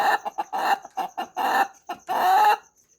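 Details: Morning crowing by a rooster: short, broken bursts that build into a longer held note near the end, then fall silent. A faint high insect ticking is in the background.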